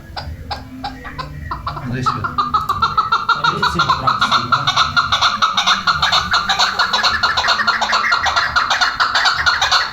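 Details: Chukar partridge in a hunting setting; after scattered clicks, a fast run of harsh, clucking notes begins and repeats about twice a second, growing steadily louder and denser, with low rumbling noise underneath.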